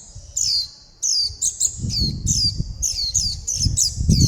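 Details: Fledgling warbling white-eyes begging for food and calling the flock: rapid, sharp, high chirps with downward slurs, packed closely together, over a low rumbling background noise.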